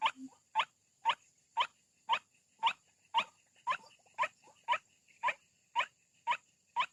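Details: Lure recording of White-breasted waterhen, used to draw birds out of thick bushes: a regular run of rough, croaking notes about two per second, each brief and abrupt, over a constant faint high-pitched hiss.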